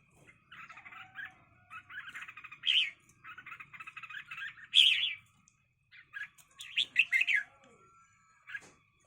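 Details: Red-whiskered bulbuls set to fight one another: bursts of harsh, rapid buzzy chatter come in short runs separated by brief pauses, with a few louder rasping notes standing out.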